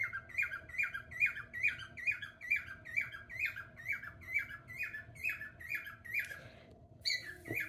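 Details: A pet cockatiel, one of three and probably the one called Feather, sings a bright, warbling two-part phrase about twice a second, steady and insistent.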